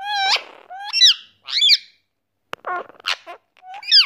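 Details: Courting pet rose-ringed (Indian ringneck) parakeet giving six or seven short, squeaky, nasal calls, some rising and some wavering, in quick bursts about half a second apart, in a quiet room.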